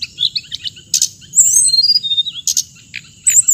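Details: Short burst of hồng hạnh bird song: sharp chirps, a bright whistled trill and loud buzzy calls, separated by brief gaps, over a constant high tone and low hum.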